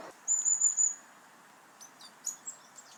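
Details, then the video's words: Long-tailed Tits in a Nordic woodland flock, very social and often in groups of around 30, give thin, very high buzzy trills: a run of quick notes, then scattered faint high calls, as from a moving flock. "Listen to that high pitched buzzing."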